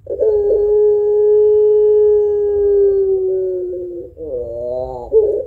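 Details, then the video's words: Spotted dove singing in the long-voiced pelung style as a lure for other birds: a clear, unwavering low coo held about four seconds, followed by a warbling, undulating tail and a short accented note. "Burung Puter Pelung Gacor Suara Panjang Kuwok Tebal Cocok Buat Pancingan"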